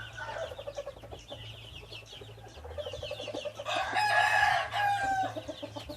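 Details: Hybrid junglefowl rooster gives a drawn-out, strained crow in the latter half, rising from soft, rapid clucking and scattered calls over a constant low mechanical hum.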